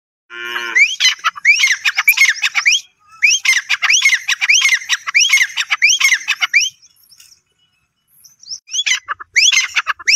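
Grey francolin giving loud, shrill, high-pitched rising notes in rapid ringing bursts, several phrases in a row, with brief pauses and a later renewed bout.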